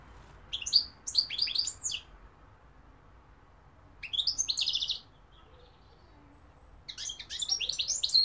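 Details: European goldfinch singing, with London and Algeria given as places: three dense bursts of rapid, buzzy, high twittering about every three seconds, with quiet gaps between.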